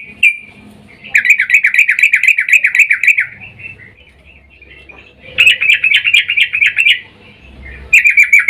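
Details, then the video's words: Breeding-mood female yellow-vented bulbul calls to the male in a lure recording; three bursts of rapid, evenly pulsed chattering notes, each about one to two seconds long. "trucuk Betina memanggil jantan EMOSI BIRAHI"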